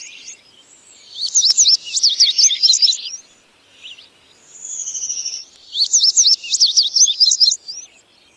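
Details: Indigo bunting giving two bright song phrases of high, paired, slurred notes, each lasting about two seconds, separated by a pause holding a softer, thinner whistled run.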